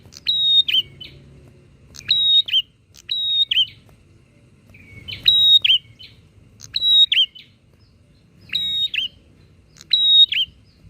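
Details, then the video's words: Bar-winged prinia in lively back-and-forth singing used to rouse other prinias: about eight loud, high phrases, each a sharp click and a level shrill whistle ending in a twangy flick, repeated every second or two over quiet background. "Suara prenjak gacor saut sautan bikin prenjak apa saja cepat emosi"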